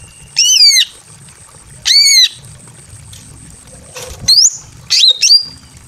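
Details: Female greater green leafbird in breeding condition, calling to a male in a simple aviary: two long arched, ringing whistles spaced apart, then short slurred whistles mixed with a few clicks and knocks.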